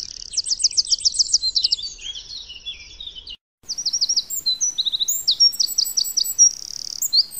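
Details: A wild, free-living Eurasian wren pours out a loud, high, rattling song of fast trills and sharp notes, restarting after a brief break, with no other sounds.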